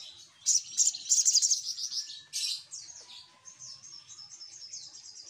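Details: Noisy spiderhunter (sogok ontong) calling used as a lure sound. Dense runs of shrill, very high chirps come in quick bursts, then a longer stretch of softer, thin, high twittering. There is a faint low rumble.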